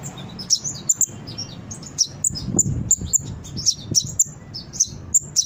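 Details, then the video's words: Brown-throated sunbird song intended to make birds respond and sing: bright, high chips and brief twitters at an uneven rhythm, with a dull low thump in the middle. "Suara Konin gacor pancingan burung bahan cepat respon dan bunyi"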